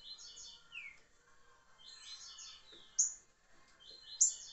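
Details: Song of a green-winged saltator, liso curricutil style, recorded 26 July 2023: warbled whistled phrases ending in a falling slur, repeated about once a second, with two sharp high ticks near the end.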